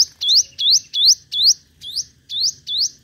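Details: Sunbird known locally as the five-colour sunbird, singing competitively as a lure recording. It gives high, upward-sweeping whistled notes, each with a sharp click at the start, repeated steadily about three times a second. A faint low hum sits underneath.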